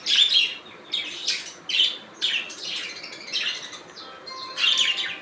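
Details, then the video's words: Budgerigars calling: bursts of scratchy, warbling chatter and squeaky chirps come in clusters about every second, with short quiet gaps between them. "Budgies Natural Sound"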